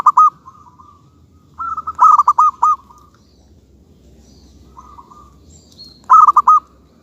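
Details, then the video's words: Local zebra dove cooing: bursts of rapid, bubbling coos in quick pulsed runs, with softer single trills between and quiet gaps. "suara kutut lokal yang bikin heboh Di Jamin Ampoh Bikin Nyaut Bunyi"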